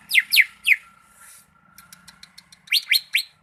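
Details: Greater green leafbird from Malinau: three loud, sharp whistles sweeping steeply downward in quick succession, a pause with faint clicks and a thin hiss, then three more falling whistles. A steady low hum runs underneath.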